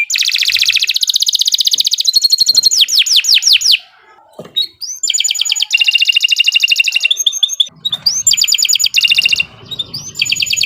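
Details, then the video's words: Canary in full, long song used to get other canaries singing: loud rolling trills, rapid repeated sweeping whistles and buzzy rattles in varied tours, with a brief drop in volume midway. "Kicau Burung Kenari 148 II LUAR BIASA GACOR PANJANG Cocok untuk Masteran"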